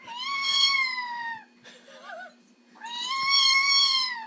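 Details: Amazon parrot in its cage, refusing to go to bed and copying a complaining cat: two drawn-out, catlike meows about a second and a half each, separated by a short warbling mutter, over a low indoor hum.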